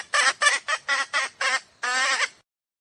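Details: Decoy hen junglefowl calling to attract wild cocks for trappers: six short, harsh clucks in quick succession, then one longer, wavering squawk, with no other sounds.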